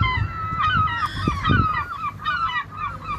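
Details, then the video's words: Several seagulls flying over the sea call in loud, ringing, slightly descending wails and yelps that overlap, with dull thumps and the low roar of the ocean underneath. "Seagull Sounds"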